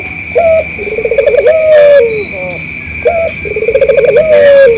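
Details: Local collared dove calling to draw answers from other doves: two phrases, each a short high coo, a rapid bubbling trill and a long descending note, over a continuous high-pitched hum.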